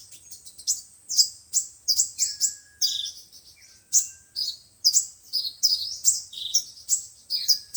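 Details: Sunbirds, five-colour and seven-colour types, singing in a recording meant to lure birds into traps: dense high-pitched twitters and clipped tweets, plus faint sliding whistles behind.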